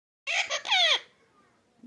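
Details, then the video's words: Pet parrot talking: a short burst of harsh, speech-like syllables with a bending, falling squawk-like tone at the end, lasting under a second, then near silence. "talking parrot"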